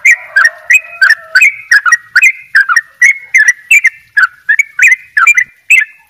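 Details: Sooty-headed bulbul, Bali type, giving an energetic double ropel: a rapid, continuous stream of liquid whistled notes, roughly three per second, with little pause and a faint humming tone early on.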